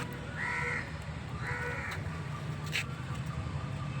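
A domestic goose gives two harsh, nasal honks about a second apart over a low rumble.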